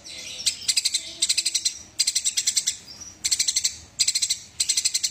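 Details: Eurasian tree sparrow fighting, loud high chirps delivered in tight bursts of four to seven, one burst after another with short breaks, faint low rumble beneath.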